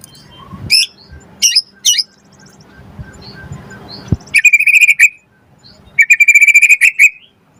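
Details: White-rumped shama singing to provoke other birds: a few sharp high chirps, then two rapid rattling trills of short repeated notes, with low background rumble.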